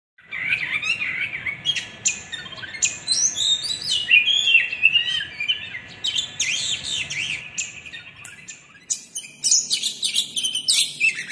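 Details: Kept oriental magpie-robin of the white-edged 'kacer pinggiran' form, moving from Palembang to Tangerang, singing a 'full materi huwambi' song: a rapid, varied run of high whistles, sweeps and sharp chirps, densely packed with brief pauses, no other sounds.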